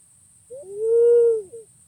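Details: Pink-necked green pigeon (punai pink) giving a short upslurred note, then a long, smooth, mid-pitched whistle that swells and fades, then a brief closing note. A faint high electronic hum continues in the background.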